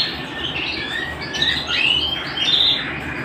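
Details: Canary singing at home, a short burst of bright whistled notes and quick slurred phrases that climb higher toward the end, set against steady background hiss.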